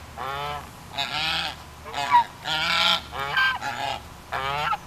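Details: Several geese on a hill ranch honking in short harsh bursts, roughly six calls in five seconds, uneven spacing, a faint low hum in the background.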